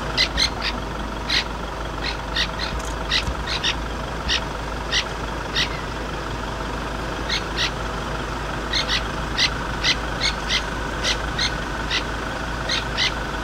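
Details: Francolin alarm calling at a leopard sighting: sharp, harsh, clipped notes in quick bursts of two to four, repeated steadily throughout, over the constant low drone of an idling vehicle engine.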